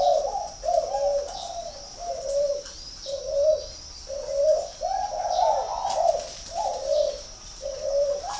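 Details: Spotted dove at a breeding farm in Ba Vì, Hanoi, northern Vietnam, delivering a long run of about nine low, rounded coos, roughly one per second, some doubled or wavering, against a persistent shrill background whine and faint clicks.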